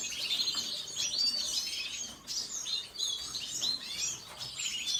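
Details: Quick, high-pitched twittering from a red siskin, chirps tumbling in short bursts with brief pauses between phrases.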